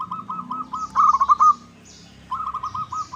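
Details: Local zebra dove used as a lure call to get other birds to sing and answer: rapid bubbly pulsed coos around one pitch, a short run, a louder rolling phrase, a pause, then another pulsed run.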